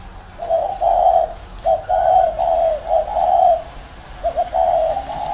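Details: Spotted dove kept as a caged decoy bird in a round cage, giving low, mellow cooing phrases of two to three linked notes, separated by short pauses, with a faint hum in the background.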